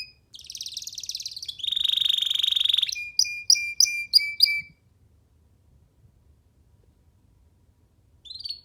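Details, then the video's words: Young free canary singing while perched on a hand: a buzzy rattling trill, then a bright sustained rolling phrase, then a series of sharp repeated chip notes, followed by a quiet pause and a final short whistled note. "Canary singing freely on sitting on d hand"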